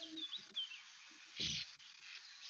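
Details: Sand Martin song, a species found near rivers and wetlands that winters in Africa; dry, scratchy twittering of brief high chirps over a steady hiss, with a low thump partway through.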